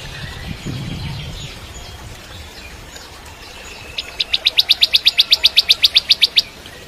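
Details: Ciblek kristal, the bar-winged prinia, in full song, used to teach magpie-robins. After a quiet start comes a steady rattling burst of about eighteen sharp, evenly spaced high notes lasting two seconds.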